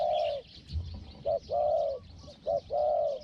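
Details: Spotted dove with a small voice, used as a decoy to lure a wild dove, the wild bird startled by the camera: low, mellow hooting coos, a short note followed by a long drawn coo, repeated twice, over steady background hiss.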